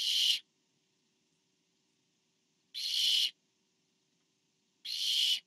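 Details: Barn owl nest on 24 September 2015, parent delivering food to owlet number four: three harsh, hissing screech bursts roughly two seconds apart, each about half a second, with quiet pauses between.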